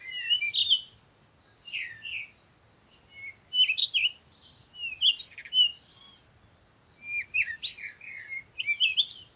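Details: Busy sunrise chorus of birds chirping in the morning, with rapid, bright twittered phrases repeated in several bouts with short gaps, and a light low rumble in the background.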